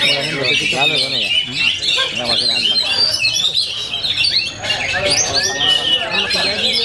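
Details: Oriental magpie-robin (kacer) singing at full power in a varied, rich style: dense, fast high chattering and whistled phrases with rapid trills and squeaky notes, run together without pause, with a man talking quietly underneath.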